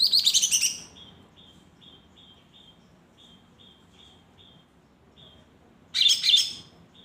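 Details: Lesser green leafbird, a caged bird bought the afternoon before, singing. Dense high trilled bursts open and close the passage. Between them, a steady string of faint, short, thin whistled notes repeats several times a second.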